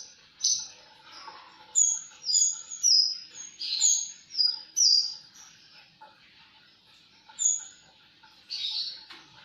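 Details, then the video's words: Javan bush lark singing rapid very high chirps and short downslurred whistles, about two a second at first, then a pause and a few more scattered notes, over a quiet background. "Burung branjangan gacor"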